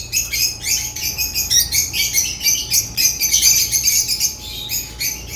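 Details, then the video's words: African lovebirds chirping and singing: dense, continuous high-pitched chirps and squeaky twitters overlapping rapidly, bursts repeating several times a second, with no pauses. "Lovebird chirps sounds"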